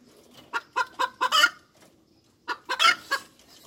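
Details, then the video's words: Hens cackling: two runs of short, clipped clucks, each rising to a louder, harsher squawk, separated by a brief quiet gap. "Tiếng Gà Mái Chuẩn - Chicken Crows 100% , Hens Crowing"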